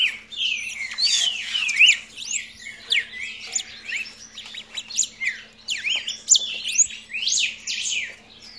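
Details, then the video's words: Young red-crested cardinal singing continuously: a rapid jumble of high sweeping whistles and slurred chirps, rising and falling notes packed closely together, with a faint steady hum underneath. "Filhote de cardeal dando show"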